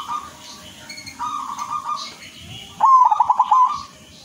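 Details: Silver zebra dove (perkutut) singing actively with a prized rhythm: a loud, rapid, stuttering coo broken into about six quick pulses near the end, after softer, steady, hum-like coos from other doves in the background.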